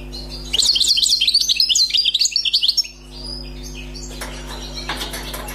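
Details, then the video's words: Freshly trapped wild European goldfinch pours out a two-second stream of high, jumbled twittering notes, then falls quiet except for scattered clicks, over a steady low hum. "غناء حسون بري صيد جديد"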